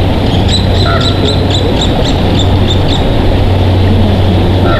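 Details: Bald eagle at the Big Bear Valley nest of a breeding pair, at 19:03 on 06/02/2023: a quick series of about nine thin, high chittering notes, then one more note near the end, over a strong, steady wind rumble.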